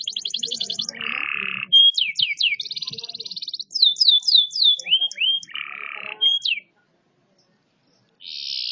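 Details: A caged-style canary sings varied phrases: high rattling trill, a lower harsh rolled section, then sweeping downslurred whistles repeated in quick succession, another low roll, a pause, and a renewed high trill.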